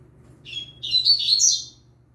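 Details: A young (novice) yellow-bellied seedeater gives one brief, high, twittering song phrase, a jumble of quick chirps and slurred notes lasting about a second, over a low steady hum.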